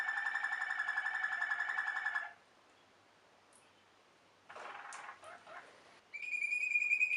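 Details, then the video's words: Waterslager canary, the Belgian Malinois song canary: a long rolling trill, silence, a burst of soft chattering notes, then a bright sustained whistled tone. "Water selgar canary wing wonders"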